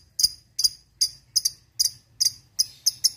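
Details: Fighter lovebird from a lure recording for ngekek training: a series of short, sharp doubled high chips repeated roughly every half second against near silence.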